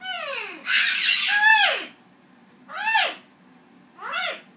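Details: Captive green-winged macaw and Goffin cockatoo singing together indoors, the cockatoo impatient and screaming when not rewarded: falling tonal whoops, a harsh broadband screech, then two shorter arched calls spaced about a second and a half apart.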